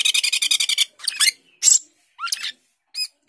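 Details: Cucak keling, or Asian glossy starling, in 'gacor teler' mode: a rapid train of about ten harsh, rasping notes opens the phrase, then scratchy squawks, a swooping whistle and two short high chirps.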